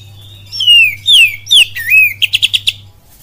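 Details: Captive oriental magpie-robin singing a lure song packed with kapas tembak phrases: loud, clear whistles sliding downward, a wavering whistle, then a quick run of about five bright repeated notes, over a steady low electrical hum.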